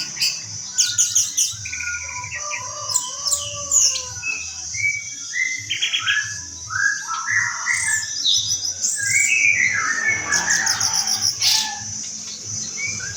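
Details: Rich, varied singing by an orange-headed thrush: clear whistled slurs, rising and falling, alternating with quick chattering notes and dense high trills near the end, with a steady high tone and a low rhythmic hum behind.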